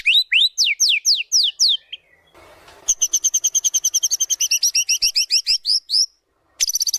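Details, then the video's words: Varied white-rumped shama song played as a training lure: rapid upward-sweeping whistles, a short noisy burst, then a long fast run of repeated high chirps, ending after a pause with a bright trill. "PANCINGAN MURAI BATU GACOR BONGKAR ISIAN"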